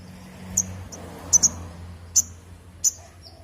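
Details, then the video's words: Crimson sunbird uttering a handful of sharp, very high chips, including a quick double note, separated by short pauses, with low background hum. "BURUNG SOGON GACOR"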